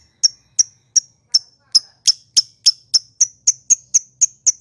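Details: Lovebird, a lure to stir rival lovebirds into calling: crisp piercing chirps that speed up from about three to four a second, fourteen in all, over a faint low hum.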